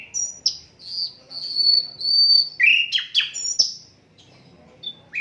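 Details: Unedited Asian brown flycatcher song kept for tutoring songbirds: long thin high whistles, then quick downslurred twittering notes and sharp chirps, with faint background noise.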